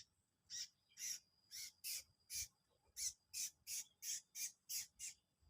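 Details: Mossy-crowned prinia song used for luring: a quick run of about eleven sharp, high, buzzy chirps, roughly two per second, over a faint steady high tone.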